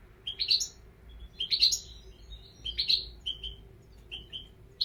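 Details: European goldfinch twittering in short, bright, jangly phrases roughly once a second, mixing rapid chirps with brief trills, over a constant faint low hum.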